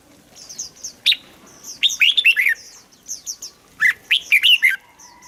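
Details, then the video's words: Red-whiskered bulbul singing to rouse other birds: two clusters of loud liquid falling whistles, with high-pitched twitters from other birds in between. "เสียงนกกรงหัวจุก สำหรับต่อ หรือ เปิดให้นกคึก เสียงเพราะๆ"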